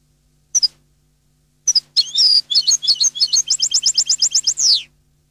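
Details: European goldfinch singing Neapolitan-style song from a CD: two brief high chirps, a pause, then rapid twittering notes speeding into an even trill of repeated high notes that ends in a downward buzzy slur; faint low hum behind.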